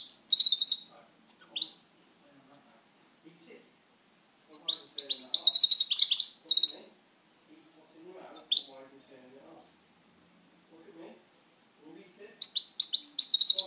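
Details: Pet European goldfinch singing indoors in repeated bursts of fast, bright twittering and buzzy trills, with soft low sounds from the room between the phrases.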